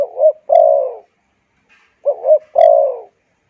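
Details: Spotted dove coo used to excite wild doves and school decoy birds. It is given twice, each time as a wavering two-note start followed by a long mellow descending note, with about a second of quiet between.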